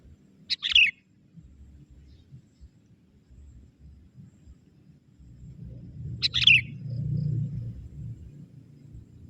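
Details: Sooty-headed bulbul, a young forest bird, calling to draw in wild bulbuls: two brief bubbly, chattering phrases about six seconds apart over faint low background rumble.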